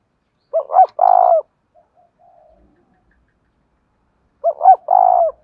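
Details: Spotted dove cooing in the 'giọng đồng thổ' voice style, 'thúc rút bổi' manner: two low, hollow coo phrases about four seconds apart, each two quick rising notes then a longer drawn-out purring coo, with silence between.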